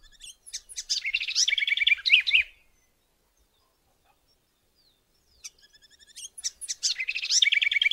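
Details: House wren (Cucarachero Común) from Alto San Miguel: two bubbly, rapid song bursts of chattering trills and rattled notes, the first ending about halfway, a quiet pause, then another jumbled burst rising in energy.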